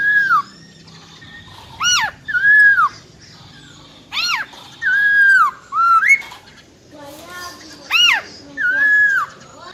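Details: Female black-throated laughingthrush with a wild-type voice, calling to stir males into singing: loud nasal arched notes with rich overtones alternate with longer down-slurred whistles, given in irregular bursts.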